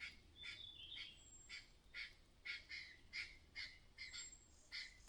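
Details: Clattering, buzzy notes from a myna mother alarmed by possible danger, repeated irregularly more than twice a second, with faint high whistles from other birds in the background.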